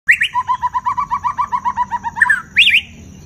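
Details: White-rumped shama singing loudly in a varied, many-voiced style: a fast run of about twenty bouncing, evenly spaced notes, then a sharp rising flourish and a bright closing phrase, with a steady faint high hiss behind.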